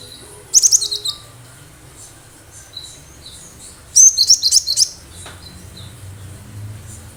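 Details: Lively gacor singing from a wild cinereous tit, used to lure other birds: two bursts of rapid, thin, very high chirps about three seconds apart, each a quick run of five or six notes, with quiet gaps between.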